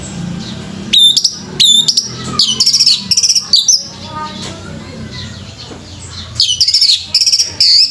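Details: Competition orange-headed thrush (anis merah) delivering loud, sharp high notes and short whistled phrases in spaced bursts, with a quieter lull in the middle and a faint low hum behind.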